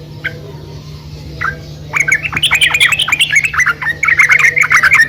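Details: Female yellow-vented bulbul calling to the male; a few soft chirps, then from the second second a busy stream of quick, bubbling, chattering notes with a faint low hum throughout.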